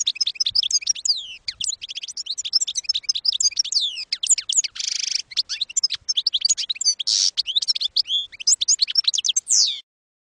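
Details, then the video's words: Campero-style European goldfinch song for training young birds: a long, dense, rapid twittering stream of slurred high notes with two harsh buzzy stretches in the middle, ending abruptly. "NUEVO CD CAMPERO PARA EDUCAR JILGUEROS"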